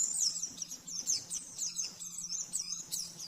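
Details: Oriental white-eye master song for training caged birds, rapid 'nembak-nembak' style: high thin chirps and twittering notes in quick runs, fairly soft, with a steady low hum underneath.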